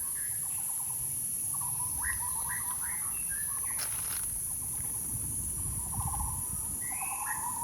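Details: Bird producing scattered trills and rising chirps, with a brief burst of broadband noise midway and constant high hiss behind.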